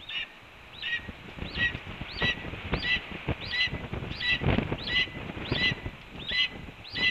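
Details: At the Cornell red-tailed hawk nest on an April 2013 morning, calls announce a breakfast delivery: about eleven bright, curved notes repeated every 0.6 to 0.7 seconds, mixed with rustling and knocking at the nest.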